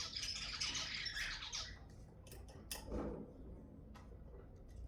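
Zebra finches chatter in harsh, nasal squawks and buzzy bursts, with quick clicks and sharp notes overlapping through a small room.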